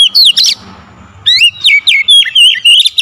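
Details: Oriental magpie-robin singing on a lure recording meant to provoke agitated singing: loud, clear whistled notes sliding up and down in quick bursts, a half-second pause with faint low rumble, then rapid varied phrases resume.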